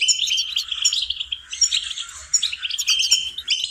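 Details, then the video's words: Goldfinch song from a songbird-training lesson. Quick, jangling twitters and sharp chirps run into each other, with a few slurred notes and a short dip in loudness halfway through. "Training and cultivating melodies singing lessons for goldfinches"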